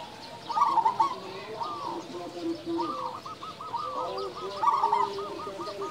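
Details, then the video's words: Big-voiced local zebra doves: bubbling trilled coos, then a long regular run of hooked coo notes repeated about four per second, several birds overlapping. "perkutut lokal gacor suara besar"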